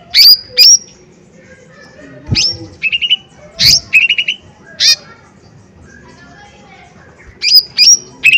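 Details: Lesser green leafbird (cucak ijo mini) used as a lure: sparse, sharp upswept whistles and short fast trills, separated by silences of up to two seconds.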